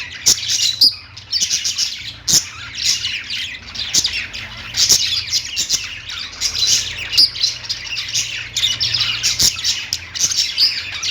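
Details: Lovebirds singing: shrill, chattering chirps rising and falling in waves roughly every second, with occasional thin whistles and sharp clicking taps.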